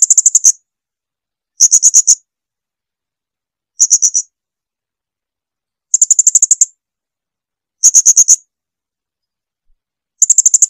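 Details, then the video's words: Blue-crowned hanging parrot song for tutoring household birds: six bursts of rapid, shrill, high ticking notes, roughly every two seconds, each burst of four to nine notes, otherwise silent. "Lagu jernih SUARA BURUNG SRINDIT."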